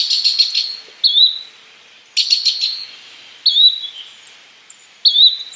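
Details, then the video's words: Yellow-bellied flycatcher with short rising whistled calls alternating with rapid stuttering bursts of clicky notes, about two whistles and two bursts in a few seconds, clear and close. "Yellow bellied Flycatcher Bird Sound, Birds Call"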